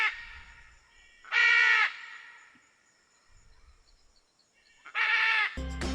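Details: Scarlet macaw giving two loud, harsh, raspy squawks about three and a half seconds apart, each lasting around half a second, with faint low rumbling between them.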